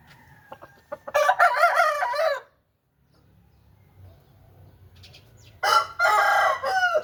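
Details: Aseel chicken sounding two long, hoarse crows separated by a few seconds of near silence, each crow rough and wavering in pitch.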